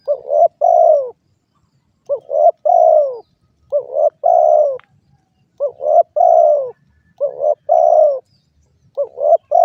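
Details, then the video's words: Derkuku or spotted dove cooing steadily: soft, low two- and three-note coos, the last note drawn out and falling, repeated roughly every one and a half seconds against a quiet background. "suara burung derkuku"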